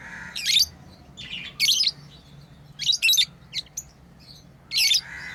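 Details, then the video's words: Lovebirds kept as pets, at play: about five loud, piercing chirps spaced roughly a second apart, each a short shrill burst, over a faint low background hum. "Lovebirds playing & Chirping sounds"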